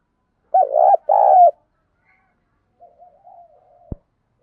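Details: Spotted dove kept as a decoy, voice style 'thổ pha thúc', calling to train other decoys: a pair of loud hoarse coos, then a quieter drawn-out wavering note and a sharp click.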